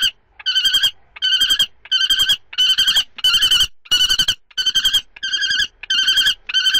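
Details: Common kestrel prey transfers, second and third, 2 May 2013. Harsh, vibrating call notes come in steady bursts, roughly one every half to three quarters of a second, throughout.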